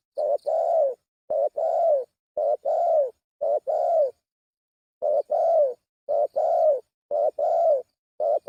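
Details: Spotted dove giving a lure call as a rapid run of about a dozen rounded, hoarse coo notes in paired groups, with a brief pause midway, in an otherwise quiet setting.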